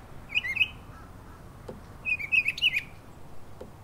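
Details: Mockingbird in a Florida backyard, morning before school, giving short bursts of quick warbled notes, a brief pair of phrases then a longer run of rapid, varied chirps, with faint low background rumble.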